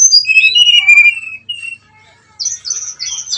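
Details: Lure song of a brown-chested jungle flycatcher, used to stir a rival into fighting: high clear whistles sliding downward, a short pause, then a fast buzzy high trill.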